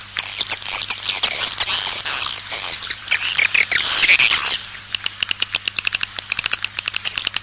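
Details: A swiftlet mating ("birahi") lure call, outdoor recording: a dense, shrill twittering chorus for about four seconds, then a run of sharp dry clicks, roughly two to three each second, over a low steady hum.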